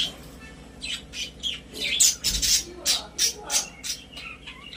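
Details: Pet budgerigars in a cage chatter with rising squawky notes and rapid high chirps, repeated in pulses roughly every third of a second.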